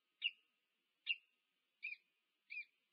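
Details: Wild peregrine falcon pair meeting at the nest, UC Berkeley, USA, nest camera, 2 November 2022: four short, sharp notes, each about a second apart, the last two slightly doubled, over a low constant tone.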